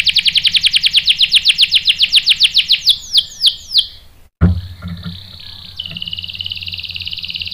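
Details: Canary singing in a lure recording aimed at rousing a male to reply: a fast run of ringing downslurred notes that slows into wide sweeps, a sudden thump and pause, then a thin sustained trill.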